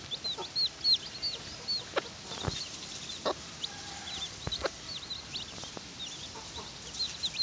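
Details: Mother hen with her chicks at feeding time: many high chirping peeps scattered throughout, a few brief low clucks near the middle, and several dry knocking taps.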